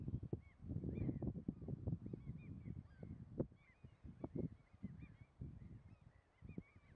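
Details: A pair of Tundra swans recorded on 2 April 2021 at Munsö, Ekerö, Sweden, utter a run of brief honking notes, some overlapping, scattered through the recording amid strong low-pitched rumbling noise.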